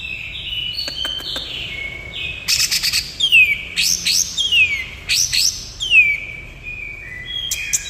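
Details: Cucak ijo (greater green leafbird) song in the 'nembak kapas tembak' manner: repeated loud phrases, each a sharp rising burst dropping into a long descending whistle, given roughly once a second.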